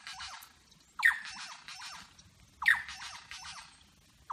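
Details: Superb lyrebird mimicking other birds in Berowra Valley National Park, giving harsh, noisy squealing bursts repeated roughly every one and a half seconds, each starting with a sharp note and trailing into rough chatter.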